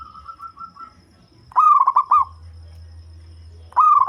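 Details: Local zebra dove, deep-voiced and suited to luring: a soft beaded trill, then a loud stuttered coo of quick notes. A second phrase begins at the end, while a low hum runs underneath.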